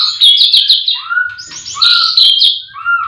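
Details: Morning song of a white-rumped shama at a livestock pen full of singing birds: bright high warbled phrases alternate with lower rising whistles, with brief pauses between bursts.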